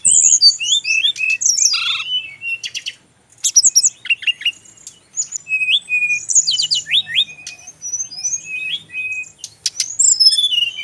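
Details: Kept male Brown-chested jungle flycatcher, Bali region, singing a dense, fast medley of high chirps, slurred whistles and rattling bursts. Song runs almost without pause, with one brief break near the middle.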